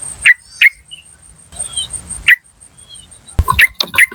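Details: Yellow-vented bulbul in the wild giving calls used as a lure: scattered sharp "cuk" notes, two close together, then one alone, then a rougher cluster of notes near the end, with a constant high whine.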